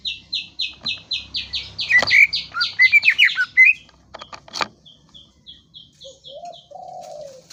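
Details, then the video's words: Greater green leafbird song: a steady string of quick falling notes that breaks into clear looping whistles, a sharp knock, then fainter high chips and a soft low hooting note at the end. "KICAU BURUNG CUCAK IJO"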